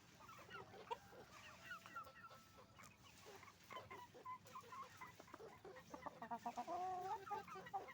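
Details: Roosters and hens at a chicken farm making noise: a dense chorus of overlapping clucks and short squawks, about four a second, with a drawn-out crow-like note rising near the end.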